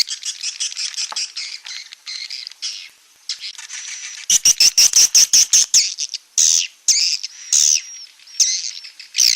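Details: Edible-nest swiftlet 'outside' sound for swiftlet houses: high buzzy chirps repeated quickly. Loud rapid clicks and squeaky rising twitters follow partway through.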